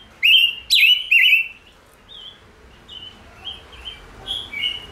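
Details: Chim ngũ sắc in full song. Three loud, bright, warbled whistles open the phrase, followed by softer short whistled notes that rise and fall.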